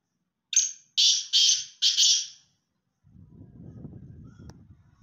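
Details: Francolin in a calling contest between Sindhi and Punjabi birds: four harsh, rasping, high notes in quick succession over about two seconds, the last two run together, followed by low rumbling background noise.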